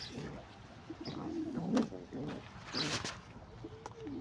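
A pigeon gives low, soft throaty coos in two short bursts, with faint chirps and clicking noises around it.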